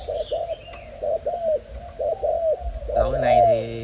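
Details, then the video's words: Caged male spotted dove of the Malaysian type, described as having a broken wing but very lively: repeated paired coos, then a man starts talking over the last second. "Cu gáy Malaysia"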